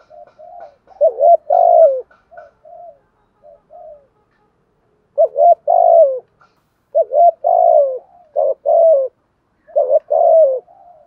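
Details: Decoy spotted dove used to train new birds and lure others, cooing in the Vietnamese 'thúc gù', 'gáy gọi' and 'bài bản' styles; low mellow coos in about five groups of two to four notes with silent gaps between them.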